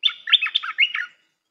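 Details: Red-whiskered bulbul song used for training young birds: a quick one-second phrase of bright, warbling, slurred whistled notes rising and falling, then silence.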